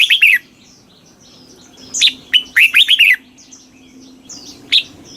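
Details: Thai red-whiskered bulbul singing in the southern master style, used to excite caged birds: a short burst of warbled whistles, then a longer run of rapid rising-falling notes, and one lone sharp note near the end.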